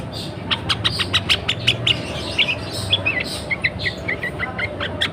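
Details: Female sooty-headed bulbul in breeding condition, calling to prompt males to sing: rapid series of short sharp chirps and bubbly whistled notes, several per second, over a steady low hum.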